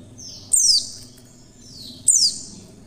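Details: Female Oriental white-eye calling clearly, a sound used to lure other white-eyes into opening their beaks to sing: two sharp, thin, very high notes, each sliding steeply downward, about one and a half seconds apart, with faint softer trailing tones.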